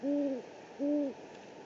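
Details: Two clean, even hoots from a great horned owl, each about a third of a second with a slight fall at the end, recorded by a live camera in the Presidio, San Francisco, on 3 March 2019.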